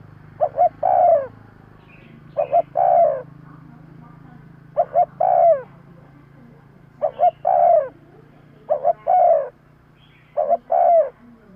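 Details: Spotted dove calling repeatedly as a lure to bring in wild birds: six phrases about two seconds apart, each a double short coo ending in a longer downward-sliding coo, with low hum beneath.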